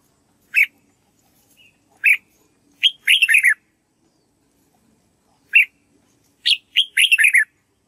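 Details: Red-whiskered bulbul performing practice song for white-cheeked birds to learn. Single sharp chirps alternate with quick chattering whistled phrases, repeated twice over eight seconds in a quiet setting.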